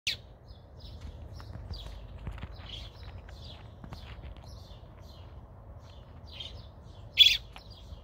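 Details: American robin chick calling for its mother: short high chirps scattered through the clip, with one loud sharp chirp near the end over a low steady background hum.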